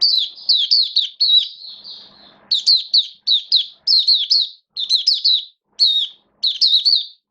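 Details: Kept oriental white-eye (mata puteh) singing in build-up form, 19 September 2022: high, thin, rapid chirping twitter in short bursts, each a run of quick down-slurred notes, with a brief pause and faint rustle midway.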